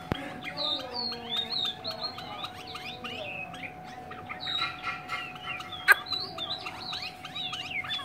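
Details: A captive Chinese hwamei pours out a rapid, varied stream of loud, clear whistled phrases, rising and falling without pause, over a steady low electrical hum.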